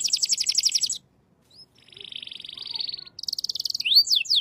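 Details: Canary singing in shant style, opening with a rapid bright trill, a short silence, a long even buzzing roll, then a quick trill and sharply slurred whistled notes.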